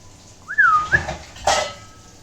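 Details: Kiwi, a pet green-cheeked conure, gives one clear, bending whistle that rises, dips and ends in an upward flick, followed by a brief clatter like dishes.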